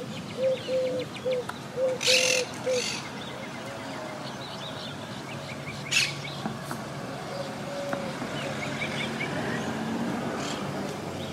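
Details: Wild Quaker parakeet colony living high in trees, a group that lost about half its members to Hurricane Irma in 2017. Two loud, harsh squawking bursts stand out, over a steady series of low, even whistled notes from another bird and faint chirps.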